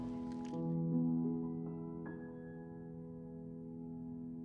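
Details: Soft ambient new-age music with sustained tones and gentle plucked notes, without any bird or animal calls.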